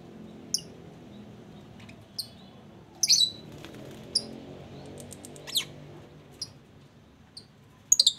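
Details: Lovebirds in a mini aviary giving sharp, high, shrill chirps, single notes scattered through the recording with a denser cluster near the end, over a low background hum.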